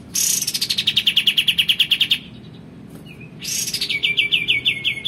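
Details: Male White-eared bulbul singing energetically gives two bursts of rapid, high chattering notes, each run sliding steadily downward in pitch, with a short pause between.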